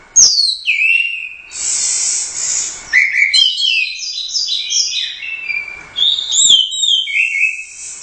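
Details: Orange-headed thrush, a champion contest bird from the Royal Cup, singing gacor with teler doyong movement. Loud downslurred whistles open the phrase, followed by a buzzy high note and then a sequence of quick, varied chirps and sweet, descending whistles.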